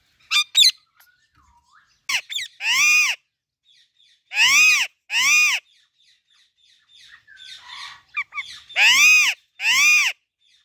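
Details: Female Alexandrine parakeet giving loud, harsh, arched squawks, mostly in pairs about half a second apart with pauses of a second or more between pairs, plus a few short sharp chirps and soft chatter.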